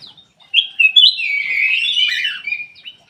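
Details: Ruby-throated bulbul in an aviary, recorded as a singing lure for a reluctant bird: a short whistle, then a sustained, rolling, buzzy warble lasting about two seconds that fades into soft notes.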